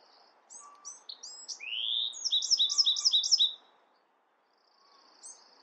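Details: Bewick's wren sings a phrase of short introductory chips, a smooth rising buzz, and a crisp trill of about six repeated notes. A faint distant note follows after a pause.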